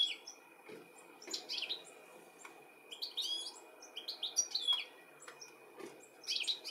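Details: Calling European goldfinch searching for its young in the UK, July 2017; bright, liquid twittering phrases in scattered clusters across the clip, with quiet gaps between and a low constant hum beneath.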